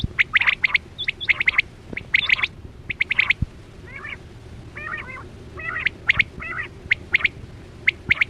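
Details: Quail calling during a net hunt for quail, used as a lure; sharp triple-note whistles repeated in quick bursts, with a few softer, rougher chattering notes in the middle and a low steady hum beneath.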